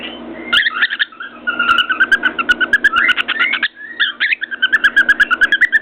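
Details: Pet cockatiel perched on top of its cage, whistling contentedly while banging its beak on a mirror: warbling whistled phrases mixed with a rapid run of sharp tapping clicks, over a steady indoor hum.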